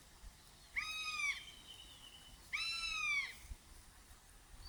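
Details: Changeable (crested) hawk-eagle hunting call: two shrill, arched, mewing cries, each about half a second long, spaced two seconds apart, over faint background hiss.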